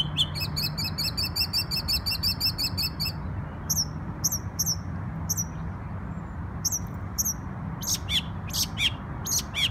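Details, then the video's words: Bird singing in New York on Memorial Day: a rapid, high trill of repeated notes for three seconds, then short, sharp, high chirps spaced about a second apart, over a steady low hum. "NY Bird Sings Beautiful Songs"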